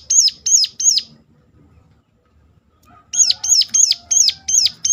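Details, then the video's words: Sharp ciblek gunung (Sunda warbler) call to encourage other birds to sing: three high downward-curving notes, a two-second silence, then a series of seven more at about three per second. "ngecall tajam ciblek gunung"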